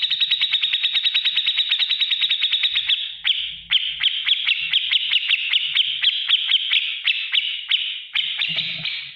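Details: Grey-cheeked bulbul tutor song for caged birds in the ngetik ngipik style: a fast, even run of sharp ticking notes that slows into a harsher, uneven rattle, with a faint low hum underneath.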